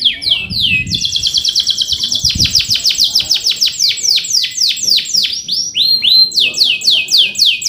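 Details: Male canary singing the rolling 'ngerol' song with 'cuit cuit' notes as a model for young canaries: fast buzzy trills give way to long runs of falling whistled notes, each about a quarter-second apart.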